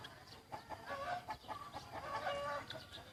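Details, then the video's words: Young white decoy rooster kept in a village, 1 June 2020: a distant, fairly soft crow with wavering harmonic tones lasting about a second and a half, preceded and followed by short clucky notes over background hiss. "Qaib dib dawb qua zoo heev ไก่ต่อสีขาวหนุ่มเสียงขันดีมาก"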